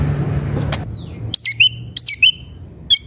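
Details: White-rumped shama, agitated and seeking a rival to fight, song used to provoke other shamas into responding: a few loud, sharp whistled phrases sweeping down and up, separated by short pauses, over a low steady hum.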